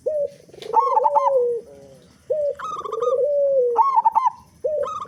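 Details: Local zebra dove in full song, big-voiced, meant as a lure to prompt other doves to sing; short clipped coos, bubbling trilled notes and long wavering coos follow in close succession.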